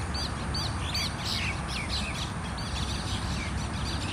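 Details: A group of mynas fighting: rapid harsh squawks and chatter in quick bursts, one caller over another, above a steady low background rumble.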